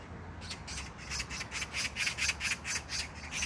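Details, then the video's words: Dry, grating magpie chatter at an Incheon park in South Korea on June 19, 2022: evenly spaced scratchy bursts, about three a second, steady throughout, low rumble underneath. "magpie sound(까치소리)"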